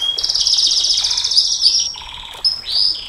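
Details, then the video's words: Canary singing a long, sustained song style known locally as nembak panjang, used as a master recording to train and provoke other canaries: rapid high trills and buzzy rolls, then clear whistled notes and rising sweeps near the end. "Suara KENARI NEMBAK PANJANG, Untuk Masteran Dan Pancingan KENARI SANG JUARA, Canary Sound"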